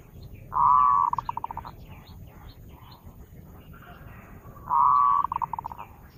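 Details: Lure song of zebra doves: two strong cooing phrases about four seconds apart, each a steady coo that breaks into a rapid train of stuttering pulses, with soft chirps and a low rumble behind.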